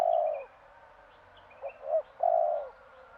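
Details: Morning cooing of a Madura spotted dove: a long purring coo, a pause, then two short hooting notes and another drawn-out coo. A few faint high chirps in the background.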